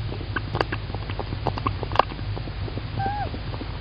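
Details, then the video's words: Tawny owl at a nest camera in Estonia, 9 April 2019, as the male brings food to the female; one short, descending double call near the end among scratching and knocking sounds over a steady low hum. "Tawny Owl - Klaus brings food, Klaara is happy"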